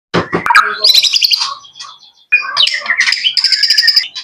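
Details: Young male white-rumped shama kept as a pet, singing: two bursts of rich, varied phrases mixing low notes, rapid trills and high chattering sweeps, separated by a short pause.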